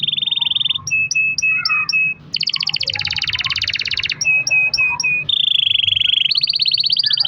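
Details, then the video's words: Canary's long-roll song to lure caged canaries into singing: a steady high roll, five clipped repeated chips, a dense buzzing trill, more chips, then a smooth continuous roll. "kenari gacor ROL PANJANG buat pancingan kenari agar bunyi"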